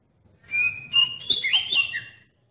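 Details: Oriental magpie-robin song played to trigger other magpie-robins into singing: a steady whistled note, then rising and falling slurred whistles ending on a lower note, followed by brief silence.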